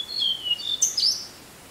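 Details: Tickell's blue flycatcher singing a type 2 song: a quick run of thin, high whistled notes that step and slide downward, then a brighter burst of sharp, very high notes, over a faint steady background hiss.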